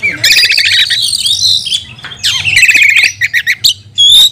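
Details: Oriental magpie-robin lure song meant to stir other magpie-robins: a long buzzy churring phrase, a rattling trill, quick staccato notes and a final loud whistled note.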